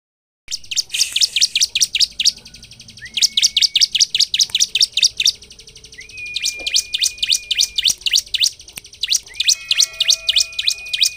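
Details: Bar-winged prinia singing actively, used as a lure to agitate other prinias into singing: bursts of rapid, sharp, high chirps repeated in quick runs, with a steady thin whistled tone held between bursts.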